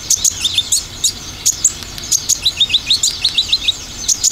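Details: Olive-backed sunbird song used as a lure, dominated by the rapid 'tembakan' style: high, thin chirps fired in quick succession, several per second, some sliding upward, over a faint hiss.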